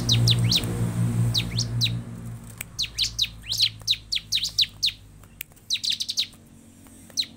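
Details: Song of the bar-winged prinia, used to encourage caged birds to sing: loud opening chirps over a low rumbling hum, then a spaced series of sharp, high downslurred notes.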